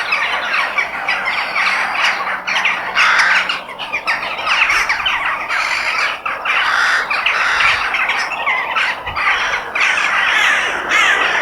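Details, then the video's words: Many crows in nature, constant rasping squawks and caws overlapping into a dense, unbroken chorus, with short dips in loudness. "The Sound of Crow In Nature"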